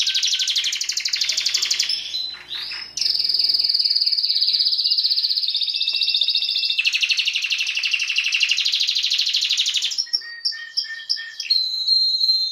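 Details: A Timbrado canary sings a long, continuous run of fast, high, metallic trills and rolling phrases that shift in pitch, with brief chirping breaks between passages.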